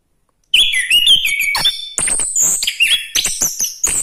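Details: Orange-headed thrush in energetic full song: a continuous, rapid stream of high whistled phrases, slurred notes and sharp chirps that jump between pitches, loud and varied throughout.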